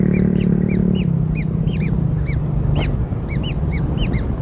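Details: Newborn kingfisher chicks being fed black insects give short arched chirps, rising then falling, in quick overlapping bursts over a steady low hum that fades after the first second.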